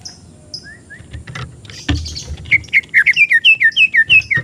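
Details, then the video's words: Lure and tutoring song of an untrained oriental magpie-robin. Soft, distant whistles and background rumble come first, then a loud, regular series of downslurred whistled notes, about three per second. "MASTERAN ATAU PANCINGAN BURUNG MURAY BAHAN"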